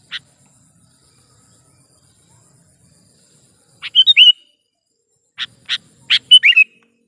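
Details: Sooty-headed bulbul (kutilang), a lure call for trapping that also serves as a tutor sound: a lone chip, then a quick gurgling whistled phrase, later more chips leading into another bright bubbly flourish.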